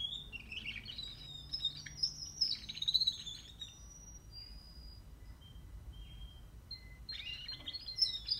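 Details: Young canary 44 days old practising quiet song: soft high whistled and warbled phrases, a trilling passage at the start, then scattered thin notes and a brighter burst near the end, over low background hiss.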